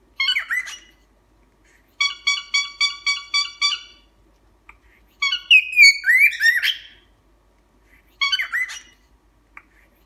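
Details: Captive cockatiel mixing a run of seven nasal honks with sharp chirps, rising whistles and scratchy squawking bursts, separated by short silences.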